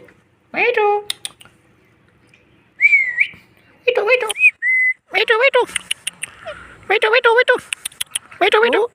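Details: Indian ringneck parakeet kept as a pet, making a funny sound: loud harmonic squawks with wavering, bent contours come in bursts, mixed with a short rising-falling whistle and a flat tonal note, separated by brief quiet gaps.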